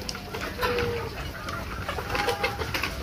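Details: Native (deshi) chickens on a farm, raised to about one kilogram in 85 days; short tonal calls and a drawn-out whistled note rise above a steady hum of background noise.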